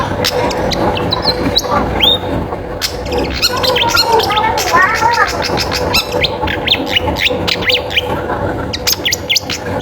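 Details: Long-tailed shrike in vigorous lure song meant to prompt other shrikes to sing: rapid run of sharp whistled upslurs and downslurs, mixed with chattering and clipped notes, over a dense steady background with music.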